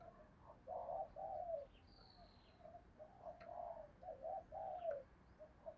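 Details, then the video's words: Spotted dove decoy cooing to attract wild doves. Soft, distant low coos are repeated in rounded pairs under steady background hiss, with a faint high whistle heard once. "cu gáy kích bổi nhanh nổi/ cu gáy mồi cây thúc gù bài bản"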